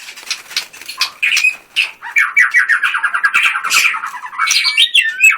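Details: Song of a caged white-rumped shama: scratchy chatter leading into a long rapid series of repeated descending notes, ending in higher whistled slurs.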